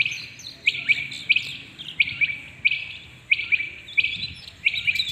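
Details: Rain quail calling early in the morning, giving sharp, high, metallic double notes, repeated steadily about every two-thirds of a second, over a faint low rumble.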